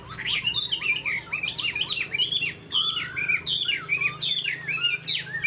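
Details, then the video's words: Captive tame Chinese hwamei with spread tail and eagle-like wing display sings rapid low-pitched looping whistles that climb into higher, varied phrases; a steady low hum runs underneath. "Chim họa mi thuần đuôi xòe, chơi cánh đại bàng cực đẹp"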